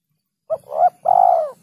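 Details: Single clear phrase from a spotted dove lure recording: a short clipped note, a rising swelling note, then a long buzzy coo that tails off, with a faint low murmur behind.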